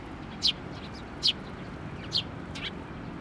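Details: Sparrows at a Tenmangu shrine on 22 May 2024 coming for food while chicks are fed; three sharp, high, downward-sliding chirps spaced under a second apart over faint background hiss.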